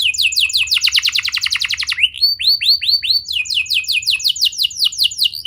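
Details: Young canary singing as a training lure for young canaries: a rapid rattling trill, then slower rising whistled upsweeps, then repeated descending chirps in quick series.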